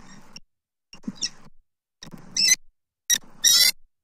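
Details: Bald eagles at a Southwest Florida nest on October 29, 2024, the male bringing food gifts to the female; short muffled bursts are followed by loud, high, harmonic chittering notes, with brief silent gaps between segments.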